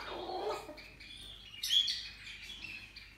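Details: Salmon-crested cockatoo letting out a single short, harsh, rasping screech midway, after a softer low noisy sound at the start, with faint calls in the background.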